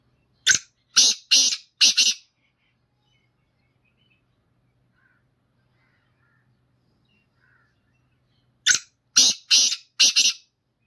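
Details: Singing Black francolin giving two matching phrases about six seconds apart. Each phrase has four harsh, clipped, rasping notes in rapid rhythm, with silence between the phrases.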